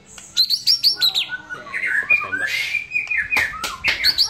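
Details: A white-rumped shama's relaxed song opens with a quick series of high whistled chirps, then moves into lower warbling whistles broken by harsh bursts and sharp clicks.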